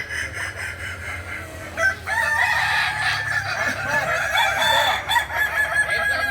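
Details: Roosters of the kukuak balenggek breed crowing in a contest at Ampang Kualo, Kota Solok, in May 2024: after a quieter start, a long, continuous chorus of ringing, wavering crows builds from two seconds and carries on to the end.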